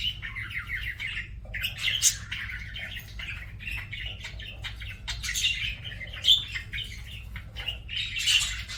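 A budgerigar warbles continuously, a busy stream of scratchy chirps, clicks and squawky notes with brief sharper squeaks, recorded indoors.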